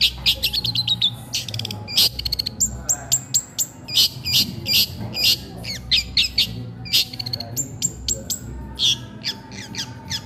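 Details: Long-tailed shrike, caged, keeps singing while it eats: busy chattering song of rapid varied notes, harsh squawks mixed with high whistles and trills, delivered almost without pause.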